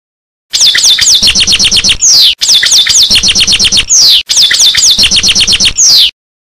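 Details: Loud, dense passades song of a European goldfinch: fast twittering and rattling notes closed by a falling slurred whistle, three phrases back to back.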